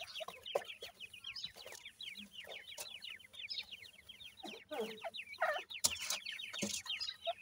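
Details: Dakhni grey francolin chicks at feeding time: steady streams of quick, high, falling cheeps from a crowd of chicks, with occasional louder rustling bursts.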